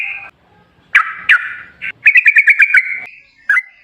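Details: Lively sooty-headed bulbul song played as a lure to make other bulbuls respond: a short whistle, scattered bubbly notes, then a quick string of about seven bright, chirpy notes and one final chirp.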